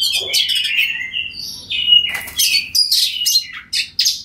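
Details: Kacer, oriental magpie-robin, singing in 'ngeplong' style to call a rival bird into answering; sliding whistled notes, a bright pure whistle mid-clip, then scattered harsh chirps and short buzzy bursts.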